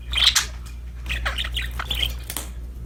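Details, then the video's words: Happy budgerigars chirping while playing: bursts of scratchy, warbling chatter and short squawky notes between 1 and 6k, with a steady low hum underneath. "Happy Parakeets Chirping Sound #budgies Singing, Playing"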